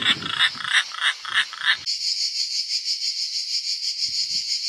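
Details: European roller in Italy, with young leaving the nest; a fast series of harsh, rasping broadband notes fills the first two seconds, then a pulsing insect chorus continues alone with a faint rustle near the end.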